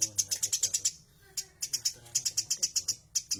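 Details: Tame Eurasian tree sparrow singing briskly: quick bursts of crisp, high-pitched chirps, about six to eight per second, separated by short pauses.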